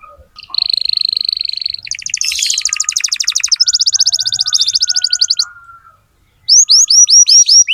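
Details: Song of a loud-singing canary played as a lure to teach young canaries: a steady high whistled trill, then a broader rattling trill, a short pause, then crisp descending slurred notes.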